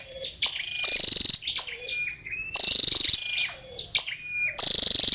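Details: Female scarlet-backed flowerpecker repeating high, harsh, rapidly pulsed buzzes, each followed by thin descending whistled notes and soft clicks, in a steady loop.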